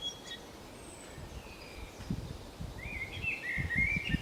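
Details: Common blackbird singing on the Camino de Santiago at Zamudio on 28 March 2019. After quiet background rumble, a fluty warbled phrase arrives late, sliding between mid and higher notes and ending in brighter twittering, over steady low environmental noise.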